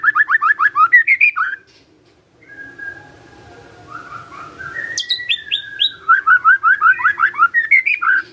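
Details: A Magpie-robin sings loudly, with fast series of repeated downslurred whistles, a brief pause and a long steady whistle, then more rapid rising and falling notes. A low background hum is present.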